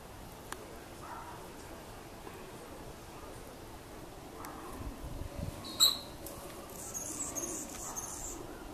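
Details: Anna's hummingbird during its spring mating dive display: a single sharp, loud chirp-like burst, then a run of scratchy, buzzy, very high-pitched bursts near the end, over a steady low outdoor hiss.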